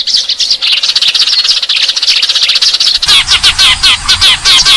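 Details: Eurasian tree sparrows chatter in a rapid, steady stream of high, dry chirps, jumping about three seconds in to a louder, harsher burst; used as a lure call.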